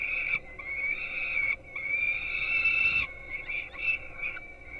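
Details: Young peregrine falcons at a Polish nest in Gdynia, filmed by webcam at 4:21 am during a breakfast feeding, let out steady, prolonged begging wails, three long bursts, the last breaking into shorter notes.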